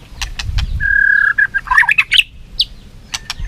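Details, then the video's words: Tail-flicking white-rumped shama singing competitively: one long, steady whistle, then a quick jumble of varied chirps and clicks. "Chòe lửa hót đấu, đập đuôi cực hay."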